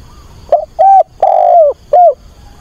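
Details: Spotted dove used as a decoy, singing to find a partner: a close, clear phrase of four mellow coos, the third longest and sliding slightly downward before a short final coo.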